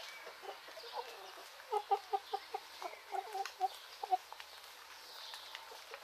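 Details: Chickens in the Greek countryside in the morning: a chain of about ten short, evenly spaced clucks roughly every quarter second, over a quiet background of faint birdsong.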